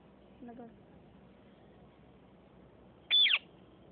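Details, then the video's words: Sindhi parrots fighting: after a faint low murmur, a single loud harsh screech bursts out, dropping sharply in pitch within about a third of a second, over a quiet background hiss. "Sindhi Speaking parrots.fighting"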